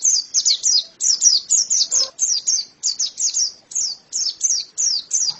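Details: Pleci (white-eye) song made of paired and tripled high, thin chirps with falling pitch, pouring out in quick succession; a short lower scratchy sound appears midway.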